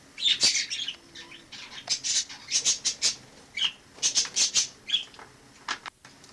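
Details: Wild sparrow living in a home from autumn 2006 until it left in summer 2007; a busy, almost continuous run of harsh, squawky high chirps, several per second, with a brief click near the end.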